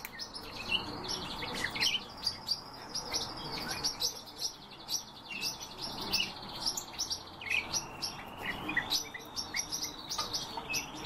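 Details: Several European bee-eaters give overlapping purring, trilled calls. Long rippling phrases rise and fall, one smoothly rising toward the end, mixed with clipped chirps and ticking notes throughout.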